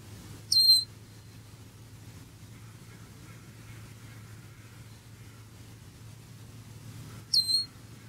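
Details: Blackbird recorded close up from under five feet away, peeping loudly as it eats breakfast; two sharp, high, quickly falling peeps about seven seconds apart, with a steady low hum between them.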